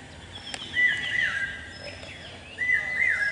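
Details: Common hawk-cuckoo, a male, giving its characteristic call on a campus: two stepped, ringing phrases, one early and one at the close, with a soft, high, descending whistle between them.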